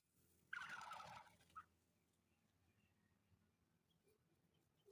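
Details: Black francolin calling in the open while playing: one harsh, rasping burst lasting under a second, a short note just after, then quiet background.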